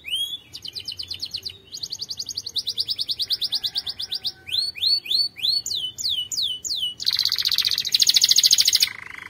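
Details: Canary's powerful training song: a bright high trill runs in stretches, followed by quick upswept and downswept whistles repeated in series, ending on a loud, dense buzzing roll with a lower tone beneath.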